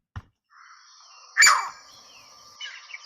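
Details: Green Heron giving one sharp, piercing, loud squawk, harsh and abrupt, against a background of steady thin songbird tones.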